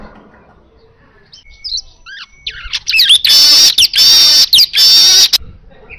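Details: Asian golden weaver singing: a few thin rising whistled notes, then loud, dense, buzzy sizzling phrases repeated in quick bursts with brief breaks.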